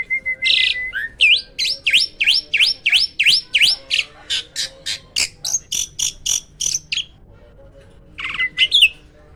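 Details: Hybrid myna with a loud, clear song: about twenty upswept notes repeated in quick succession, a short pause, then a buzzy burst.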